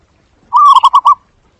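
Zebra dove giving a soft, mid-pitched coo that breaks into four quick staccato notes, all within about half a second, against a quiet background.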